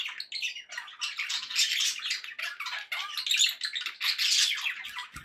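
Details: Budgerigar chatter: a continuous, busy babble of high squeaky notes, trills and buzzy chirps from pet birds, loud and almost without pause.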